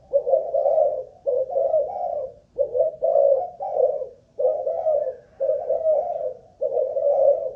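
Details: Spotted dove, Malaysian line, caged decoy bird checked for cooing stamina: steady series of husky coo phrases, two or three syllables each, following one another closely over several seconds in quiet surroundings.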